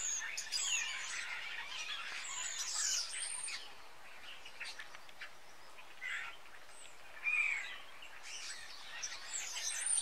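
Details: About twenty common starlings gathering in tall fir trees in Jutland, Denmark, in autumn, feeding on berries before flying south. Mixed whistles, clicks and rising squeals come in bursts, with quieter gaps between them.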